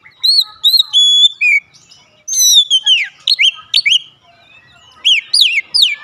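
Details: Oriental magpie-robin (kacer) song as a daily lure to make birds sing: clear whistled notes, a level held tone, then a string of rapid downslurred whistles separated by short gaps.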